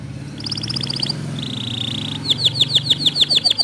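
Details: Canary song played so a lazy canary will join in: a clipped high trill, a smooth buzzy roll, then a string of loud, repeated swooping notes over a steady low hum.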